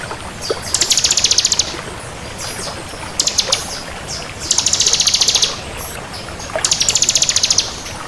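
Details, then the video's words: Crystal bar-winged prinia singing actively: rapid high, even trills of about a second each, repeated several times, with brief sharp notes between, over a steady rushing background hiss. "Suara Burung Ciblek Kristal Gacor"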